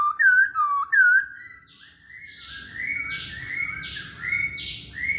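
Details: Chinese hwamei: two loud, ringing, looping whistles, followed by softer, drawn-out warbled notes with a faint background hiss.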